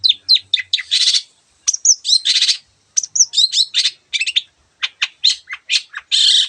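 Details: Long-tailed shrike in vigorous song, a tutor recording for birds that rarely sing, rich in imitations of other birds: rapid bursts of high chirps, trills and short whistles, mostly under a second each, separated by brief pauses.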